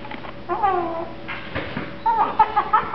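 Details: A 1-year-old male pet Eclectus parrot, sleepy and contented, mumbles in soft, nasal, speech-like phrases, with wavering tones rising and falling in short bursts.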